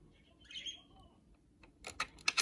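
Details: A pet budgerigar gives a brief, bright chirp that slides downward, followed by sharp clicking taps.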